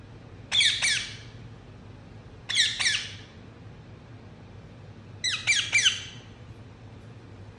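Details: Harsh, raspy squawks from an Indian ringneck parrot come in three bursts a few seconds apart, each a quick double or triple grating note, with quiet pauses between bursts.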